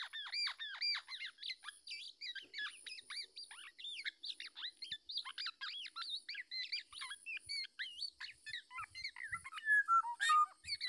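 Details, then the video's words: Black-naped oriole parent defending its chick from an attacking male trying to take it: dense, fast series of harsh, squawky and chirping notes, many sharply down-slurred, tumbling over each other without pause through the clip. "Induknya Melindungi Bayinya Dari Serangan Burung Jantan"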